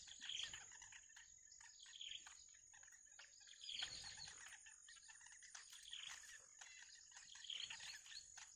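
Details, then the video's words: Hungry wild nestlings wait for a parent bringing food. They give repeated clusters of sharp chirps and clicks, swelling roughly every two seconds, against a constant shrill insect drone. "The Baby Bird Waits For The Mother To Return With Food"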